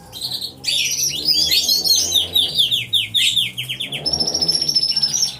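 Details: Aviary full of canaries all singing at once, recorded on a hidden camera: a cascade of rapid rising-falling chirps, then bright steady high notes and a pulsing trill at the close.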